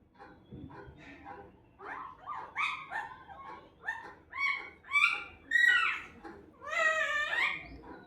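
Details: Talking parrot producing a string of speech-like syllables, growing louder and higher, with bright, whistly, warbling tones toward the end of the phrase.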